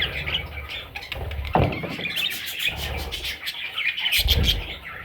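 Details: Parrot chicks keep up a scratchy, high-pitched squawking chorus, with a sharp knock and some low rumbling thuds in between.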